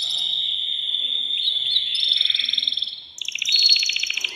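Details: Agitated caged male canary singing to prompt a female to mate: a steady, high, ringing trill that wavers in pitch, then changes into a faster, pulsing rattle of bright notes.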